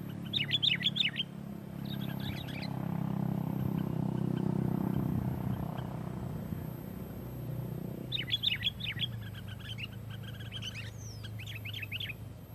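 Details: Sooty-headed bulbul lure song, loud and dense to provoke rival bulbuls; rapid bursts of sharp chirped notes at the start and end, separated by a long stretch of low rumbling noise.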